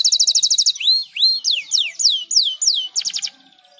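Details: Canary song played to stimulate other birds to sing: a fast buzzy trill of repeated high notes, then a run of loud whistled downward sweeps about three per second, ending in a short rattling trill.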